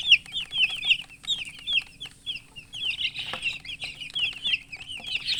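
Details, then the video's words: Newly hatched chicken chicks peeping loudly: rapid, high, bright chirps, many overlapping, each a short falling or arched note, in a dense continuous chorus. "chicks chirping sounds Just Born Baby"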